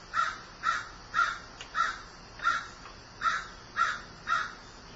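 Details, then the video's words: A crow in grief calls eight times in quick succession, each caw harsh and nasal, spaced slightly over half a second apart. "Grieving Crow"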